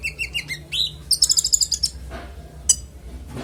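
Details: Konin with clear, varied song for training other songbirds: quick piping notes stepping down, a rising whistle, then a fast stuttering series of high bright notes and a few sharp clicks.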